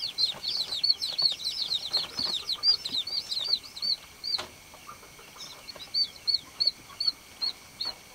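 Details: Baby chickens call in a busy chorus of high, falling peeps that thins after a sharp click into single, evenly spaced chirps about every half second.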